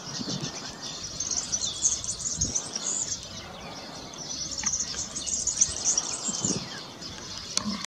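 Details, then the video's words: European serin singing: a fast, high, jangling twitter in two sustained bursts, with steady background noise and a few low thumps. "Verdecillo (serinus serinus) Cantando"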